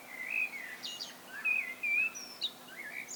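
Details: Common blackbird singing alone: a few clear, level whistled notes with slight slurs, interspersed with thin high chips and a squeaky twitter.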